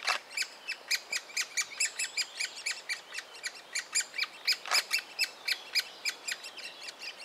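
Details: Great spotted woodpecker nestling in a willow trunk at Biesummerbos, Delfzijl, Netherlands, begging while fed: a fast, insistent series of squeaky, buzzy chirps, roughly four per second, with brief louder clicks from the nest hole.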